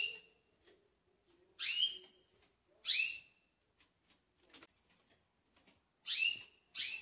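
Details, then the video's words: Green pintagols (hooded siskin × canary hybrids), recorded before they go to sleep, give bright, high, twittering calls in short half-second bursts, four times over seven seconds, with faint chirps between. "GRAVANDO PINTAGOL ANTES DELES DORMIR"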